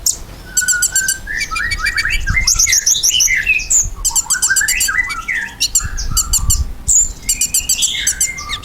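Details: Lively ruby-cheeked sunbird song meant to coax kept birds into replying: dense, continuous high-pitched warbling with trilled chip bursts, descending whistled slurs and brief pauses between phrases, with some low thumps.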